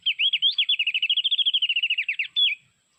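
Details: Mountain white-eye from Sulawesi, played from an MP3 as a lure for trapping with bird lime: a rapid run of high, tinkling, slurred notes, about twenty quick chirps in two and a half seconds, ending in a longer whistled note.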